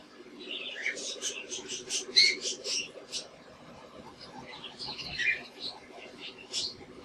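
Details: Budgerigars in captivity chattering: quick high chirps and warbled tweets in short flurries, with a steady low murmur of background noise.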